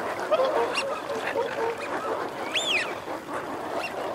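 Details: Calling Eurasian wigeon of both sexes: a few low clipped notes at first, then a single strong arched whistle that rises and falls just past halfway, over a busy murmur of the flock.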